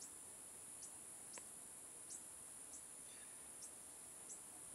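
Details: A young Fork-tailed Sunbird in Hong Kong gives thin, high chips about every three-quarters of a second over a steady, high insect-like hiss.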